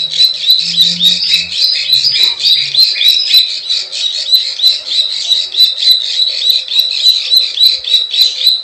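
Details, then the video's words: Plain prinia klik klik ciwah calls used to lure wild birds: quick buzzy ticking notes in a steady pulsing stream, about three or four per second, brief low hum in the opening seconds. "SUARA PIKAT PRENJAK SAWAH_KLIK KLIK_CIWAH"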